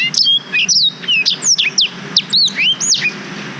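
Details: Black-throated canary song intended as a master for young canaries, made on a GoPro Hero 5: a fast string of high whistled slurs, some rising and some falling, given almost without a break.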